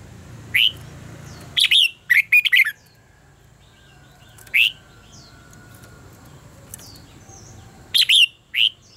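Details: Red-whiskered bulbul in contest-style singing used to train other birds: short whistled phrases spaced several seconds apart, some single notes, some rapid clusters of three to four wavering notes, over a faint hum and distant chirps.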